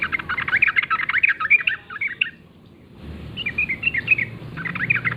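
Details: Morning forest song of a wild yellow-vented bulbul: dense, tumbling phrases of rapid, warbled notes, a brief silence after about two seconds, then more rolling phrases, with a soft low rumble underneath.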